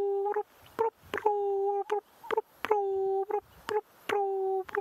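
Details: Ring-necked Dove, a very common bird, heard on a cloudy, grey-skied sunset safari drive on 5 December 2016, giving low, hollow coos: a drawn-out steady note between short clipped notes, repeated in a rolling three-part phrase.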